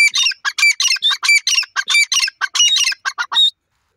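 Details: A pair of grey francolins gives a rapid run of about fourteen harsh, squawky notes laced with high whistled tones, overlapping in a loud chorus for over three seconds.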